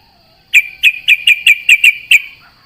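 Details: Sooty-headed bulbul at dawn, answering companions while set out in the morning dew: a short, evenly spaced series of eight bright whistled chirps over about a second and a half, with a steady high hum in the background.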